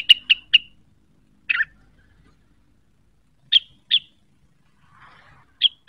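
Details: Cucak wilis provoked by a call and seeking a rival, giving sparse, sharp chirped notes: a quick triple, a slurred double note, then single chirps spaced by silences.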